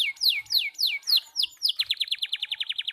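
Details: Young canary practising song: four or five loud downward-sliding whistles at an even pace, then a rapid run of short repeated notes forming a fast trill.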